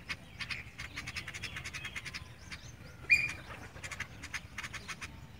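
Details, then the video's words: Sparrows chirp in quick, bright bursts, several birds overlapping in a busy run of short high notes with brief pauses; one louder sharp chirp stands out. "Sparrow sound || sparrow chirping sound"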